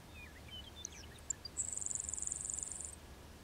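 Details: Grasshopper sparrow singing at 6:35 a.m. on June 10, 2019, unseen between a road and fence 16 km SE of Trossachs, Saskatchewan: a few high thin ticks, then a long dry insect-like buzz over a second, over faint twittering and low rumble.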